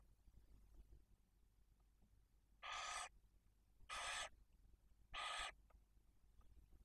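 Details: Barn owl at the nest in Cabañeros National Park, Spain, while the male brings prey to the female and two chicks one and four days old. Three harsh, broadband hissing screeches, each about a third of a second long, come roughly every 1.2 seconds.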